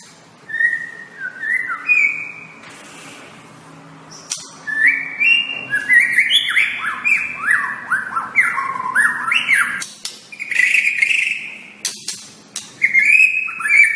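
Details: White-rumped shama master song for training caged shamas. A long sequence of loud, fluty whistles steps up and down in repeated descending runs, with sharp high flicks interspersed and brief pauses between phrases.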